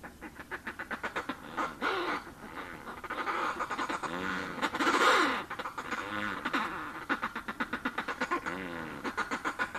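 Northern fulmar cackling, a throaty, duck-like chatter of about four rapid pulses a second that swells into a louder gargling burst midway.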